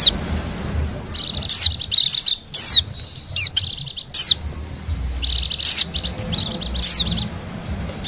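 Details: Bali white-eye, wild, used as lure sound: long, high, rapid chattering trills broken by sharp downward whistled sweeps, two main song bouts with a brief lull between, low hum underneath.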